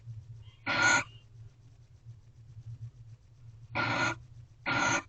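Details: Three rough hissing screeches from barn owls during mating at a corral owl box, early morning 24 February 2023: one call, a pause of nearly three seconds, then two close together; low hum throughout.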